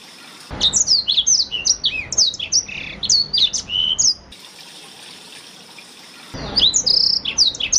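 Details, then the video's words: A Black-throated Canary, used as a lure or master song for canaries, sings a rapid, varied string of high, sweet twitters and trills in quick bursts, broken by a brief silent gap. "BLACKSTROOT untuk pancingan atau masteran burung kenari"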